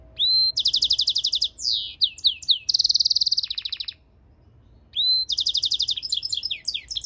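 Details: Mule bird, a cross of European goldfinch and canary, singing. It gives rapid pulsed trills, falling chirps and a long buzzy roll, pauses about a second, then resumes with a whistle and more fast trills.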